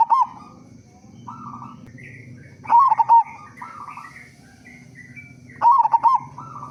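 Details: Zebra dove, local type with a big voice, repeats quick bubbling coo bursts roughly every three seconds to encourage other doves to sing, with softer doves cooing between and faint chirps above.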